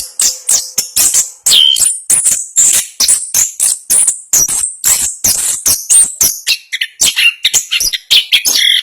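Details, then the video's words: Orange-headed thrush, a national champion contest bird, singing a fast, dense rolling song of high sharp notes and chattering phrases delivered in quick, tightly packed bursts. "Anis Kembang Gacor Ngerol Speed Rapat. Suara Kicauan burung Anis Kembang Juara Nasional"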